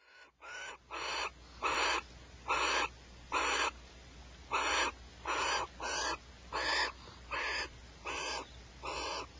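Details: Male and female barn owls at Starr Ranch squabbling over a rat: harsh, hissing screeches in rough broadband bursts, about twelve in nine seconds, repeated roughly every three-quarters of a second with uneven spacing.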